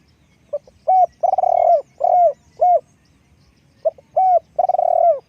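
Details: Spotted dove used for decoy luring, calling two quick coo phrases of short soft lead notes, then full hollow hoots and a long purring rolled note, with faint low background noise.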